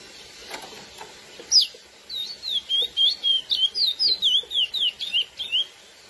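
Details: Lesser seed finch, called curió, delivering the classic song to stir females: one bright upslurred note, then a dense train of high warbled whistles, roughly four per second, rising and falling for over three seconds.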